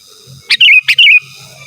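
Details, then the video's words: Close sooty-headed bulbul calling rivals: two quick phrases, each a sharp chirp sliding into a short whistled, wavering warble. "Suara Burung KUTILANG GACOR Asli Tanpa ISIAN Ampun Untuk Suara Panggilan dan Masteran"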